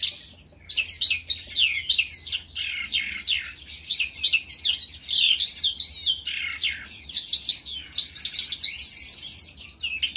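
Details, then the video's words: Ravine recording of a calandra lark giving a long, varied song of high whistled swoops and rolling trills in bursts with brief dips, above a faint low hum. "Джурбай ,песня жаворонка в яру"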